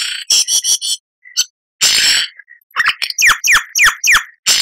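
A lyrebird sings a varied medley: harsh buzzy bursts, a brief pure whistle, then five quick, bright whistled notes sweeping downward about twice a second.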